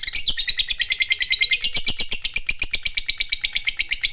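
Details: Lovebird of fighter type giving a long ngekek trill, used to provoke other lovebirds into sound; a rapid run of high, chattering chirps repeated steadily through the whole stretch, indoors with no other sounds.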